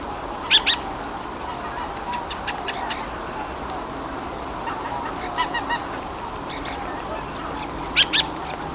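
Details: Dusky thrush calling where many of these thrushes gathered in the surrounding area: sharp, dry, paired chack notes near the start and again near the end, with fainter scattered calls between, over a steady low background hum.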